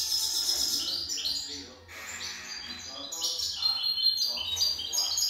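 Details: Song of a young European goldfinch, a fast run of bright, high twittering notes and liquid trills with a brief pause about two seconds in, then more chattering phrases, faint low hum behind.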